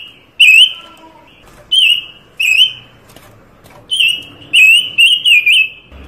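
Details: Panca Warna bird in full, varied song for master training or trapping lures: a series of high, thin whistled notes with a sharp wavering kink, spaced irregularly, some run together in quick pairs and triplets.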